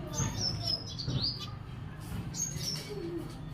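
Lovebirds give thin, high chirps and squeaky twitters in short bursts, some sliding upward, over a steady low rumble.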